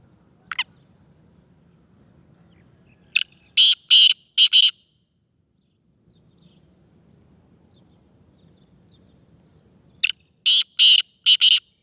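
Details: Calling Black francolin, described as a Sindhi speeder type: two loud phrases of short, rasping, grating notes about seven seconds apart, each opening with a sharp single note. Faint low hum sits between the phrases.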